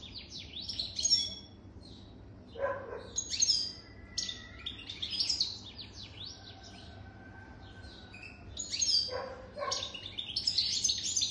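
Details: Bright twittering song of a European goldfinch more than three years old: bursts of high, jangling chirps and brief trills separated by short pauses, with a couple of lower rasping notes.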